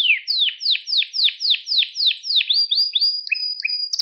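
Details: Pet canary song for training young canaries to sing: a run of fast descending sweeps repeated about four times a second, then high steady whistled notes alternating with lower short tones.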